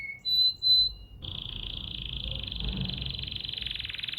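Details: Bulbul singing two bright whistled notes, then a long, even, buzzy trill held steadily to the end.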